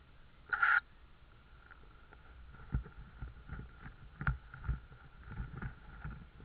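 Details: A young tawny owl in Estonia, 12 May 2013 at 16:26, puffing itself up to look large, gives one short, harsh, rasping call near the start. Dull knocks and rustling follow over a faint steady hum.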